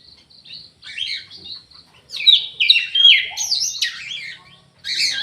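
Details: Orange-headed thrush singing in an aviary, thin high notes at first, then a loud burst of rich whistled phrases with sharp pitch jumps and downward slurs, ending in a bright squeaky note.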